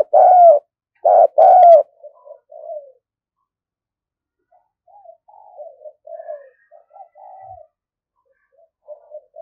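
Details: Decoy spotted dove for luring wild doves: three loud hoarse coos at the start, then a long stretch of quiet, low wavering cooing notes.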